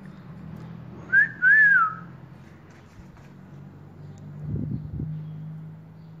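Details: A pet cockatiel, urged by its owner to sing, whistles a brief bit of the tune "Atirei o pau no gato": a short clear note, then a longer note that rises and falls.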